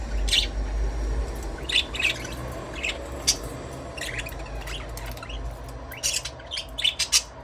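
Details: Budgerigar chirping in scattered bursts of high, scratchy chirps and short squawks, separated by pauses, over a low constant background hum.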